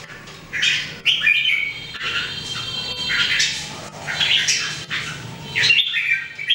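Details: Red-whiskered bulbuls, three birds in everyday 2018 singing training, deliver harsh, squawky bursts mixed with brief whistled notes roughly every second, with a low hum underneath.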